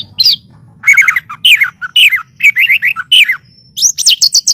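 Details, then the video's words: White-rumped shama song for training songbirds: rich, rapidly changing whistled phrases with downward slurs, then a steady run of short, high repeated notes. "SUARA BURUNG MURAIBATU"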